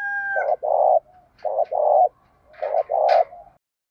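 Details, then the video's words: Male and female spotted dove decoys calling to draw in wild doves and spur them to fight, giving three paired phrases of deep, muffled coos separated by short pauses, preceded by a brief whistled tone. "tiếng chim cu gáy mồi thúc đấu và gáy gọi bổi rất nhanh về cội khi nghe giọng gáy này"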